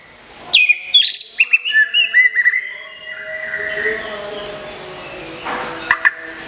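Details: Moulting white-rumped shama, a caged contest bird from Kebumen, Indonesia, delivers a fast run of about a dozen crisp, high whistled and chipping notes that descend in pitch, then falls quiet before two final sharp notes.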